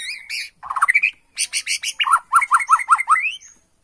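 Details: White-rumped shama of the Borneo form in a lure recording meant to draw an instant answer. A quick rising flurry opens, then a string of about six short, sharp downslurred notes follows evenly.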